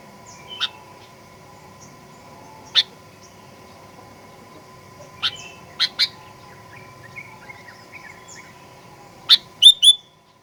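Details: Sooty-headed bulbul recorded as a lure to make birds sing aggressively: scattered single and paired sharp chirps over several seconds, closing with a fast cluster of bent whistled notes, over a steady hum.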